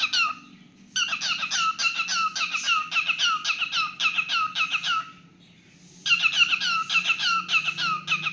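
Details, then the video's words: Pet cockatiel singing indoors: bursts of rapid, squeaky whistled notes with sweeping downslurred harmonics, delivered in quick runs of about three or four per second, broken by a one-second pause mid-way. "Adorable Cockatiel Milo's Cute Singing Moments"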